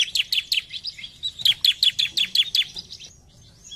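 A bar-winged prinia sings a quick run of sharp, high chirps, about four each second, with each note dipping slightly in pitch. The run breaks briefly midway.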